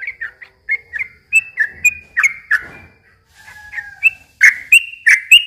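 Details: [8, 'Yellow-vented bulbul song used to draw young birds: scattered whistled slurs, a brief pause with a soft low tone, then loud bright notes resuming in a quick series.']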